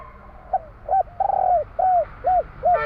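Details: Spotted dove from Java singing the 'kuk 3' style: a brief soft note, a quick coo, a long rolling trill-like coo, then three descending rounded coos around the mid-low range, over faint background hiss.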